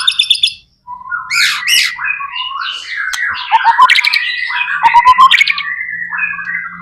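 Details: Energetic gacor song of a white-rumped shama, used as a lure to start other shamas singing: harsh squawky notes and upswept whistles, then a long run of mixed warbles and rapid pulsed trills.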